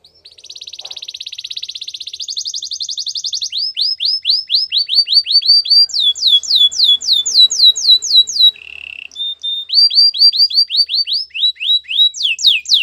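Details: Long canary training song made of tours: buzzing high trills, then rows of repeated swept whistles changing pitch, a short low roll, and more rapid falling notes.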